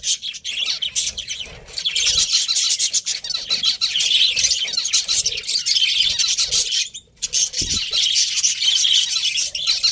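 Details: Breeding pair of budgerigars kept as pets, chattering nearly nonstop: loud high scratchy warbles and chirps, with one brief quiet break near the middle.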